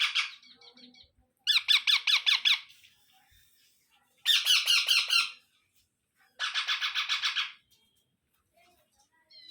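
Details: Fed baby Indian ringneck parrots make three bursts of quick, buzzy, stuttering squawks, each lasting roughly a second, separated by quieter scattered chirps.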